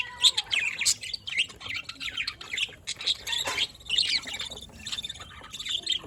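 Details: A budgerigar chirping session from 27 October 2023: scratchy, fast-warbled notes and squawks tumble over one another in uneven bursts.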